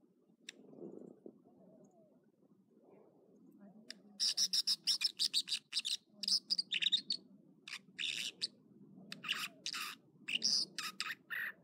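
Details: An American dipper (water ouzel) sings in the morning at Echo Lake in the Trinity Alps, California, a loud rapid run of high, ringing and buzzy notes, phrases repeated and varied, over a steady low murmur.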